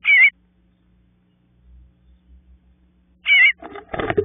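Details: Bluebird nestlings in the nest, waiting for their parents to call them out: two short, wavering chirps about three seconds apart, the second followed by soft scratchy rustling.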